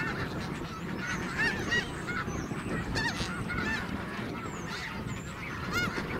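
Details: Flock of snow geese pausing at Garry Point, Richmond, BC, during southward migration in 2018, giving a chorus of short, high, nasal honks in scattered overlapping bursts above a constant low roar of wind or surf.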